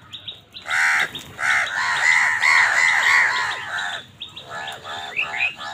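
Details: Crows in a food fight with wild birds, calling in a long harsh stream of rasping caws, one after another for about three seconds, then a few shorter caws over high chirping from other birds.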